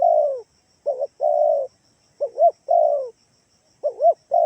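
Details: Kalimantan spotted dove lure call used to make kept doves respond: low mellow phrases of paired rising-falling coos and a longer sliding coo, repeated steadily with short pauses, clean quiet background.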